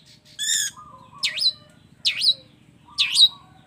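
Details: Long-tailed shrike combination fill-in song: a buzzy harmonic note, then three swooping, whistled notes that dip then rise, spaced about a second apart, with faint low tones between.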